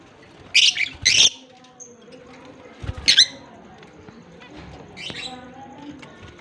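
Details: Lovebirds, a blue personata and an albino, kept as pets in Larkana, Sindh, on October 25, 2023, uttering harsh, high, scratchy chirps in irregular pairs and singles, with quiet voices behind.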